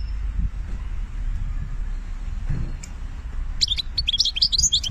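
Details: Algerian European goldfinch singing benna style: after near-silence with low rumble, a sudden quick flurry of bright, twittering high notes in the last second or so.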